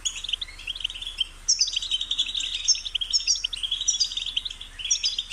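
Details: Goldfinch song with continuous high twittering and buzzy trills over a steady low hum.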